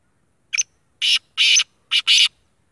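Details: Kala tetar, a fully black sheedi black francolin, calling a harsh grating phrase of five rasping notes: a short note, two longer ones, then a short and a long note close together, in quiet surroundings.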